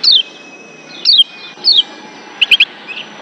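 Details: Lombok white-eye call from wild birds, aimed at raising breeding excitement. Three clear, high, descending slurred notes come about a second apart, then a quick double chip.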